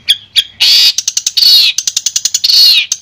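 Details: Long-tailed shrike, Madura variety, clear master song: two short chirps, then harsh broad screeching notes alternating with rapid clipped ticks, the rasping bursts returning twice.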